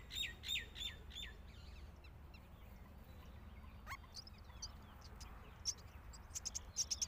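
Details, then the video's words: Hungry myna chick calling as a parent feeds it: a burst of loud grating rasps at the start, then scattered sharp squawks and clicks against faint background hiss. "Myna bird Feeding Its Loud Hungry Chick"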